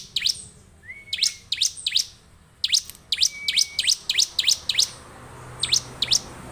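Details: Bar-winged prinia (Indonesian ciblek) singing steadily: bursts of bright, sharply descending chip notes, about three per second at times, mixed with brief flat whistles. A faint low hum sits underneath.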